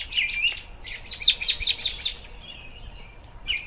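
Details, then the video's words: American robin in spring, singing short bursts of clear, high, chirping notes in quick clusters, with a brief lull before a final phrase near the end; quiet rural background. "Robins Sounds"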